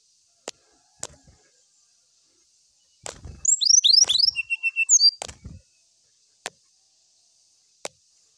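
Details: Brown-chested jungle flycatcher challenging a rival with its song: a two-second flurry of high, steeply falling whistled slurs and short rapid notes, framed by scattered sharp clicks before and after.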